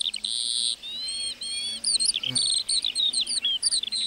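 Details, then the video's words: Lark in a meadow opening with a loud buzzy note and drawn-out level whistles, then breaking into quick high chirps and twittering phrases. "Singing lark in the meadow"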